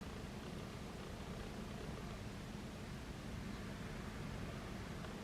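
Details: Constant rushing noise, like wind or flowing water, with no distinct calls.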